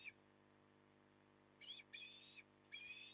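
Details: At a Port Lincoln nest on the morning of 9 October 2020, an osprey utters a brief note and then a pair of strained, whistled calls in quick succession, set against a constant low electrical-sounding hum.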